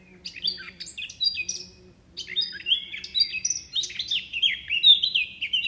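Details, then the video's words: Lively twittering from a bird, rapid high chirps and short whistled slurs tumbling together in two bursts separated by a brief silence, over a faint low hum. "bird chirping sound"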